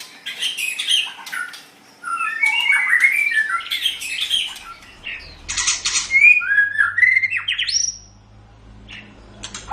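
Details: White-rumped shama song used to train pet songbirds: dense scratchy chattering and warbles, then clear slurred whistles and a rising sweep, with a low hum in the background.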